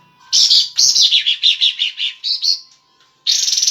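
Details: Cream-vented Bulbul in breeding condition, tail spread, singing a loud sequence of quick, bright chattering notes in rapid succession, then a short pause and another dense burst.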